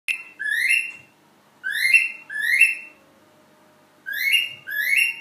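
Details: Cockatiel singing to its mate: rising whistled notes, each sweeping upward and rich in overtones, delivered in short pairs with pauses between, in a quiet indoor room.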